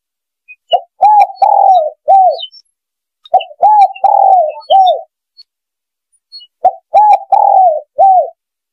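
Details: Spotted dove calling as a lure for ambush hunting: three identical phrases, each a soft short coo followed by a longer rolling croo and a final falling coo, separated by pauses of about a second.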